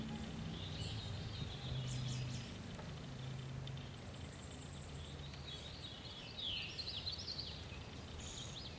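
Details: A catbird, recorded 10 July 2013, sings a rambling run of varied squeaky, twangy phrases, fairly quiet, over a steady low rumble of background noise.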